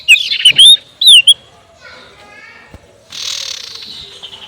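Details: Sirtu giving its ngekek call, used as a lure to provoke rivals: loud whistled notes slurring up and down in two quick bursts, followed by softer chattering and a harsh buzzy rasp toward the end.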